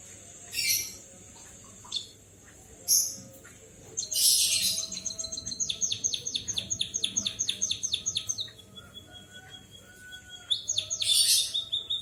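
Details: White-headed munia singing like a canary: bright high chirps, then a long run of quick descending whistled notes repeated steadily, then more short chirps, over a faint low hum.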